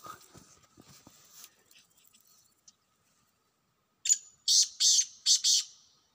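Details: Wild black francolin calling: after faint scattered chirps and a quiet pause, a loud burst of five harsh, grating, buzzy notes comes in quick succession, with the last notes slightly longer and trailing off.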